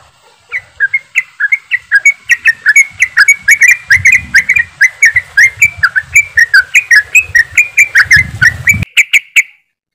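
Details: Crowd of yellow-vented bulbuls in fast ropelan chatter, meant to get birds singing quickly: steady loud bubbly notes repeating several times a second for nine seconds, with some low background rumble, ending abruptly.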